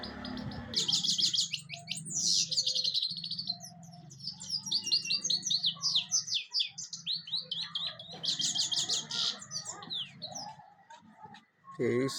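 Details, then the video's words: Singing European goldfinch: tumbling phrases of high twittering and buzzy trills, a brief softer lull early on, then renewed chattering song. A low hum runs throughout, and a short louder noise comes at the end. "golden finch singing nicely طيور الحسون الذهبي تغني بشكل جميل"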